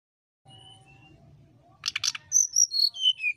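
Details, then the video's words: Brown-chested jungle flycatcher singing its fluting 'nyuling' style to provoke a rival: a faint thin whistle, then two loud clicks and a run of bright whistled notes descending step by step, cut off mid-phrase. "Burung Sikatan Rimba (SRDC) Nyuling Memancing Lawan"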